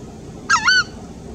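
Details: Southern screamer (Chauna torquata) in Argentina gives a single loud, harsh, honking two-part call, nasal and trumpet-like, about a third of a second long, over quiet background hiss.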